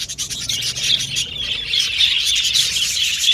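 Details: Happy Australian budgies singing, quick chirps mixed with short clear whistled notes rising out of steady scratchy twittering.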